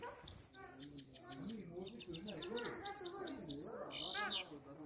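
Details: Grey-crowned goldfinch in the city of Istaravshan giving rapid, tinkling high twitters and liquid notes, with a run of sharp repeated chips; a low human voice murmurs underneath.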